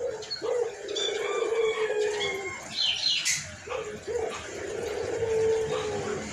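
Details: Low hoarse coos from a frequently calling white collared dove come in two drawn-out phrases separated by a short pause, amid twittering of other small birds.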